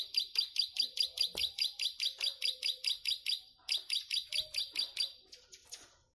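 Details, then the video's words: Plain prinia singing in a high 'ngelik' style, a quick string of buzzy, sharp notes that pauses briefly near the middle, resumes, then trails off into softer, scratchier notes at the end. "Ciblek sawah gacor ngelik panjang"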